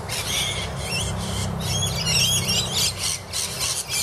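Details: Rainbow lorikeets squabbling under a camphor laurel tree in Annerley, giving harsh, screechy squawks in rapid irregular bursts, several birds overlapping, over a steady low rumble of traffic.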